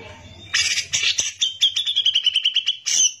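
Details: A Grey-cheeked Bulbul in full, long-running song, meant as a master recording for training other songbirds, gives harsh, scratchy chatter, then a fast run of about a dozen short, bright notes, ending with one higher whistle.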